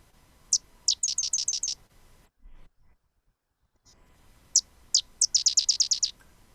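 Sedge Wren giving two very high, dry songs: a few separate sharp chips, then a fast buzzy chatter of six to eight notes. Faint background hiss.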